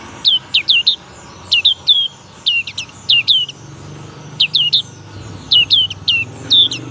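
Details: Juvenile black-capped white-eye practising its ngalas nembak song: quick clusters of high, downward-swooping whistles, three or four per burst, spaced about a second apart over a low background rumble.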